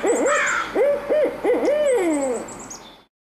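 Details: Two barred owls, a species found near water, call back and forth to each other: a quick run of rounded, rising-and-falling hoots, then a long drawn-out note sliding downward, over a faint hiss.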